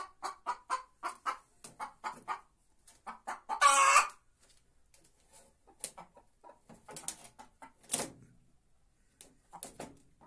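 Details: Irregular bursts of clucking from a white Leghorn hen in song, broken by two loud raspy squawks and scattered sharp clicks, with uneven pauses between phrases.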